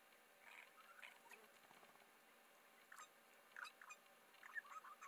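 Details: Mallee scrub at Patchewollock, Victoria: a spiny-cheeked honeyeater calling with a quick cluster of clipped, gurgling notes near the end, after softer scattered chips, against faint steady background hiss.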